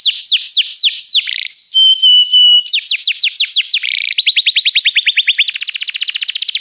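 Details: Belgian canary training song with descending whistled notes, a steady flat whistle, more rapid slurs, then a long fast trill of evenly repeated notes rising into a higher quick roll.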